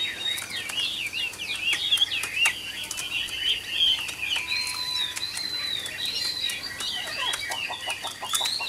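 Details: Chinese hwamei of the Tam Hoàng type, a mature wild-caught bird kept for sale and said to have a fine voice, delivering continuous high warbling with slurred, rolling phrases and brief clicks over a quiet background.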